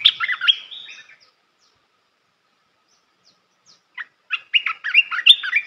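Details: Red-whiskered bulbul's song for teaching young birds: a burst of jumbled, warbling whistles ending in a drawn-out note, nearly three seconds of silence, then single chirps building into another fast, bubbly phrase.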